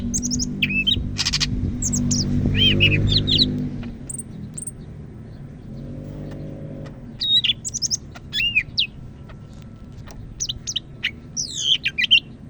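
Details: Greater green leafbird of the Medan type, North Sumatra, singing persistently: rapid twisting whistles and ticks in bursts, a rattling burst early on, and a passing low engine-like drone in the first seconds.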